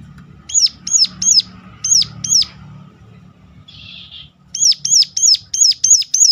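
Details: Sunda warbler giving sharp, high, hooked notes in a broken series, a short buzzy sound in the gap, then a faster run; calling meant to provoke other warblers to sing.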